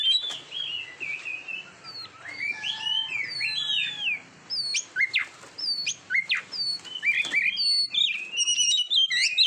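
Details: Oriental magpie-robin song recorded for training competition birds: a rich, varied stream of high whistled slurs, rising and falling notes and sharp chips, delivered rapidly with brief pauses between phrases.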